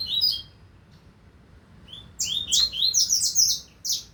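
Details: From the 2025 season, a double-collared seedeater gives a short high phrase, falls silent for nearly two seconds, then bursts into a rapid run of bright, buzzy downslurred and rising notes.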